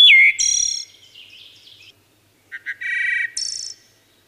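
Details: Singing wood thrush giving a clear falling whistle, a high shimmering trill and soft chatter, then after a short pause two brief notes leading into a sustained flute-like phrase with a buzzy high ending.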